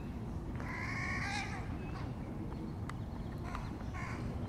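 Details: Young crows at feeding time, one harsh nasal caw-like call with rich harmonics lasting about a second, then a shorter call near the end, over steady low rumbling background noise.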